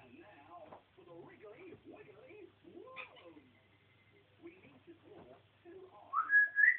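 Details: Pet African grey parrot on a rant indoors, chattering in mimicked speech-like phrases with low, voice-like syllables, then ending in a loud, rising whistled squawk.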